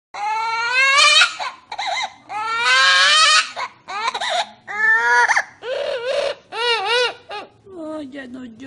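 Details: A parrot cries just like a small baby, giving wailing, sobbing cries that rise and fall in bursts about every two seconds, with whimpering tails.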